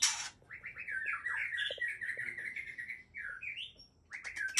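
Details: Aceh white-rumped shama singing a continuous run of clear whistled phrases that warble up and down, with a sharp noisy burst at the start and a stutter of harsh notes near the end.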